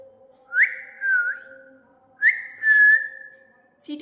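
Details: A pet parrot kept indoors gives whistles in reply to a person's Hindi request to whistle. There are two drawn-out whistles, each starting with a sharp upward flick and then sliding gently downward, with a faint steady hum behind them.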